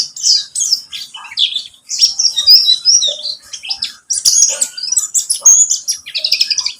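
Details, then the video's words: Pleci buxtomi white-eye song played to encourage singing, with dense bursts of high, squeaky, rapidly varied chirps and thin whistles in two long phrases separated by a brief gap. "Pancingan pleci buxtomi agar bunyi"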